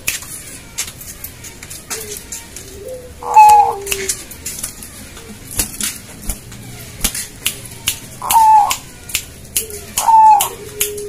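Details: Zebra dove, Bangkok type, calling in greeting to its owner: three short purring coos spread over eleven seconds, with frequent sharp taps and clicks and faint human voices in a room.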